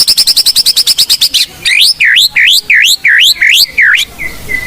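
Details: Caged blorok white-rumped shama singing a lure song: a rapid series of high chips, then loud swooping V-shaped whistles about every half second, ending in a soft whistle.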